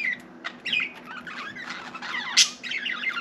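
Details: Budgerigar kept as a pet chattering in a room, a mix of thin squeaks, raspy warbles and one sharp high chirp near the end.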